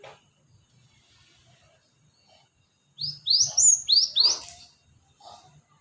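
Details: High, rising chips from a cinereous tit used for luring, four or five sharp notes tumbling out rapidly in one short burst after a near-silent start.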